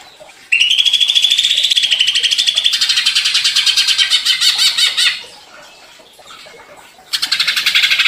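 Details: Greater green leafbird (cucak ijo), agitated by a lure and singing constantly in ngentrok style: a sustained whistled note breaks into a long, fast buzzy rattle, a quieter gap, then the rattling resumes.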